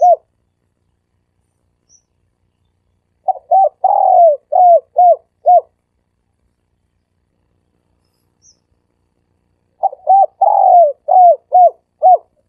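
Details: Dove calling in the three-coo style known locally as sam kuk, used as a lure to draw doves in quickly: two bursts of about seven short mellow coos, one longer drawn-out falling note among them, separated by six seconds of silence.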